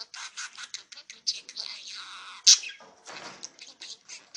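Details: Six-month-old male pet budgerigar talks Mandarin to himself in a mirror, repeating learned family phrases in rapid, high, scratchy speech-like bursts.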